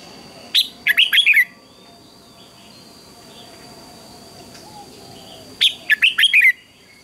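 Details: Morning contest singing of a red-whiskered bulbul in voice training, aimed at stimulating other birds: two short, rapid whistled phrases about five seconds apart, each of five or six chirpy, slurred notes, with quiet background and a thin constant tone.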